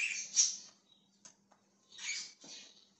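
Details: Budgerigar, dated 20 January 2023: a loud scratchy chirp, a pause broken by two faint clicks, then two more rasping chirps; low hum in the background.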